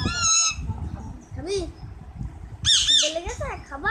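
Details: Talking parrot with a child: a steady harmonic squawk opens, then scattered softer notes, and finally a loud cluster of rough, high squawks followed by short curved syllables.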